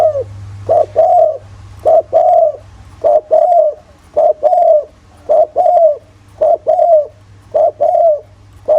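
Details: Calling spotted dove in the thổ voice, meant to draw other doves into calling: a fast, steady run of about eight paired coos, a short note then a longer falling one, over a faint hum.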